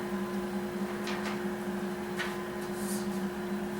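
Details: Steady electrical hum fills a small indoor room, with a few soft knocks and brief rustles but no animal voice.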